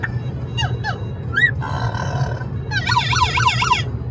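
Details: Charlie, a talkative pet Amazon parrot on a noisy car ride to a brewery, gives a few rising, nasal squawks, then a fast wavering siren-like warble, over a steady low engine rumble.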